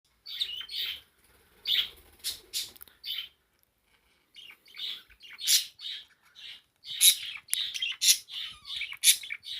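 A parakeet warbles a fast, scratchy medley of high chirps and squeaky notes, with brief pauses between bursts, recorded indoors.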